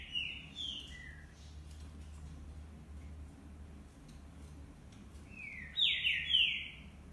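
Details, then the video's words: Green-winged saltators singing, one of several: a short pair of slurred whistles at the start, a long quiet gap, then a loud ringing phrase of down-slurred whistled notes near the end, with steady low background hum. "Trincas cantando"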